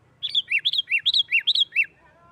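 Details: Fighting-style song of a sooty-headed bulbul, meant to goad other bulbuls into singing: a quick string of about ten clear chirps alternating between a higher and a lower pitch, lasting under two seconds.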